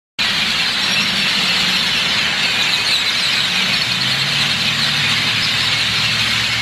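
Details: A large flock of great-tailed grackles in Edinburg, Texas, forms a dense, unbroken wall of squeaky, shrill calls, with a low engine-like hum underneath.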